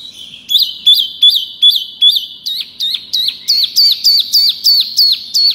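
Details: Wambi mini lure call: a steady series of sharp, high, down-slurred whistled notes, each with a hooked tail, repeated about three times a second.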